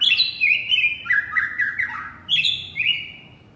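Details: Male white-rumped shama calling to its partner: loud, clear whistled phrases that slide down from high to mid pitch, with a sharp rising note midway and a brief pause before a final bright whistled run. The background is quiet.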